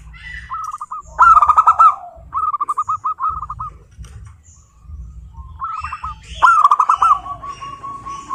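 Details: Several short phrases of fast, stuttering coos from local wild zebra doves, some loud and buzzy, others softer, overlapping in places, separated by brief gaps, over a low hum.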